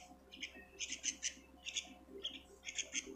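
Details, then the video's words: Young sooty-headed bulbul producing short, scratchy, hissing squawks in clusters with brief pauses between, against a quiet background with faint electrical hum. "Aanakan Burung kutilang"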